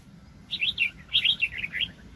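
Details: Wild red-whiskered bulbul, recorded during bird trapping in 2020, giving a quick bubbling phrase of warbled, up-and-down notes over a low rumbling outdoor background.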